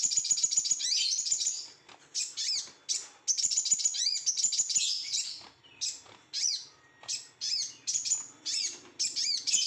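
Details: Over-emotional Sooty-headed bulbul song opening with a long, fast string of high twittering notes, then breaking into separate sharp chirped bursts spaced about half a second apart.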